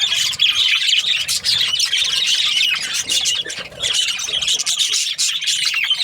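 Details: Budgerigars chirping: a dense, continuous chatter of squawky, scratchy chirps and short squeals, many birds calling at once with hardly a pause throughout.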